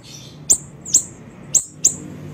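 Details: Small siri-siri bird from a lure recording: four loud, very high, sharp chips spaced roughly every half second, each slightly slurred downward.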